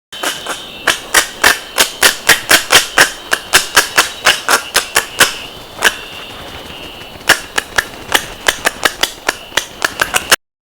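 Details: Oilbird of northern South America giving sharp, dry clicks in quick runs of three or four a second, pausing briefly midway before resuming; a faint high hiss lies underneath.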